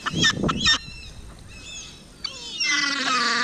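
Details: Gulls being fed minced chicken at Hovindammen pond. Loud rustling and handling noise comes first, then a quiet gap, then a sustained, harmonic, wailing call with overlapping cries from the flock.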